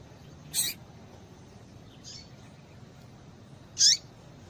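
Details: Female seedeater calling to excite a male into singing: two brief, piercing high chirps about three seconds apart with a faint softer note between, over low steady hiss.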